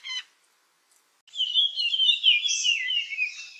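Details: Puff-throated babbler in the Nilgiris, India, calling during its display: a short harsh note, then after a pause a long, rich, warbling phrase that wavers and slowly falls in pitch.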